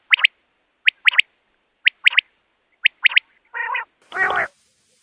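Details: Common quail calling, recorded as a lure for trapping. Four clear three-note phrases, one sharp note then a quick pair, come roughly once a second. Two harsh nasal buzzy bursts close the sequence.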